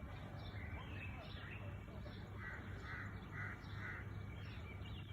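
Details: Birds calling at sunrise in Maputo: a run of short, harsh, cawing notes repeated about every half second, faint over a steady low rumble of background noise.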